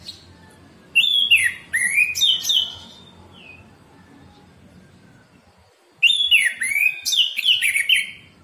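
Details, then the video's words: Clear morning song of an orange-headed thrush, played to prompt caged birds to sing. Two loud bursts of quick, varied whistles with downslurred notes, each lasting about two seconds, separated by a quiet gap. "terapi Anis merah ngeplong pagi pancingan anis merah macet bunyi masteran anis merah cepat bunyi"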